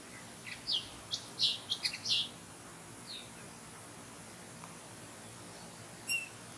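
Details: Common linnet singing among other nearby birds: a rapid burst of bright, high twittering chirps lasting about two seconds, followed by a brief pause and then a single sharp note, over a steady faint hiss.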